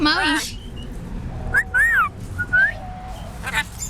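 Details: Pet parrot talking and being silly indoors: a brief speech-like burst opens, then a pause followed by clear whistled notes, a rising-falling arch and two short upward slurs, with low room hum behind.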